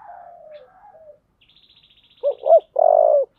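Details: Spotted dove singing in the thổ voice style: a low falling tone, then a short run of soft hoarse coos ending in a longer drawn-out coo. A faint high buzzy pulsed trill sounds just before the coos.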